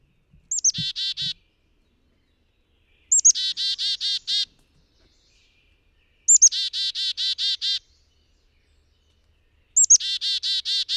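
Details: Yellow warbler: repeated phrases about three seconds apart, each a sharp high down-slurred note followed by six or seven rapid buzzy, harsh notes. A faint low thump sounds near the start, and the background is silent.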